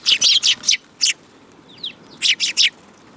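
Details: Sparrows, several birds together, giving short harsh chirps in quick bursts of three or four, with a few thin sliding notes in the pause between groups.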